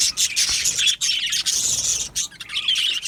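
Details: Budgerigar colony in an aviary, Australian budgies chirping together; bright high twittering with a few whistled notes rising above the constant chatter, briefly pausing near the one-second mark.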